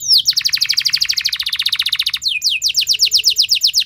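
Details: Canary song used as a lure to prompt other canaries to sing, in a long, loud rapid style: a dense trill of fast repeated high notes for two seconds, then a brief gap and slower downward-sweeping whistled notes.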